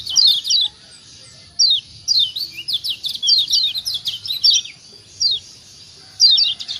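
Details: Lombok white-eye known as kecial kuning giving ciak calls to stimulate other birds; bursts of rapid high chirps, a long dense run in the middle, then spaced pairs and a final quick burst.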